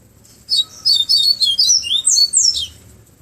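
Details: Bahia seedeater in Pero Vaz, Salvador, giving its flautado song in the afternoon: a lively two-second phrase of high, rapid whistled notes rising and falling, each note crisp and closely spaced, with faint low background hum.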